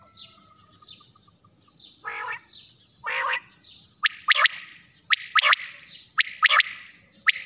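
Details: Night-time quail sounds: two buzzy, broad rasping notes first, then a run of crisp triple-note calls repeated roughly once a second.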